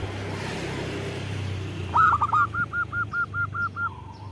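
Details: ['Local zebra dove with a big voice, used to lure and provoke other doves into singing. After about two seconds of low hum it gives a few rising coos, then about nine short, evenly spaced cooing notes.']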